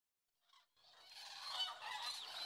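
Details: A crowd of common cranes at Lac du Der, France, in 2017, recorded from a photography hide, calling together: a dense wash of loud, rolling trumpeting notes that swells after a brief opening cry.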